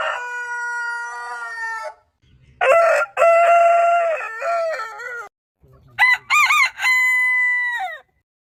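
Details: Rooster crowing: a clear, steady crow held nearly two seconds. Then comes a loud crow with a wavering, stuttering end, and finally a crow with quick warbling notes leading into a long held tone.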